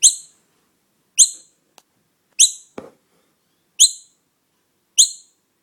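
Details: Fledgling noisy miner found alone and taken home, giving a steady series of shrill, short, downward chirps at just over one-second intervals, with a couple of brief clicks and a dull thump in between.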